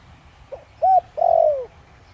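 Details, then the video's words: Spotted dove in the Thổ Đồng voice, a lure for wild doves: one phrase with a faint soft note, a clean level coo, then a long smoothly falling coo, with a light background hum. "Cu gáy Giọng Thổ Đồng kích bổi cực nhạy nhanh nổi/kích cu rừng phản ứng gáy ngay"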